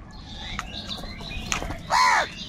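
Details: Crows squabbling with other wild birds over food; a single loud, harsh, hoarse caw arches up and down near the end, after quieter scattered chirps and rustling.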